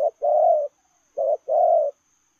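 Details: Spotted dove cooing while running, lèo rồng style: two low husky phrases, each a clipped note leading into a longer rolling coo, about a second apart.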